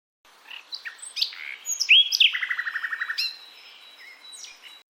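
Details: Male common nightingale singing mainly to attract a mate, with more complex songs preferred by females; varied whistles and sharp chirps, a rapid rattle of about twelve even notes, then softer scattered high notes.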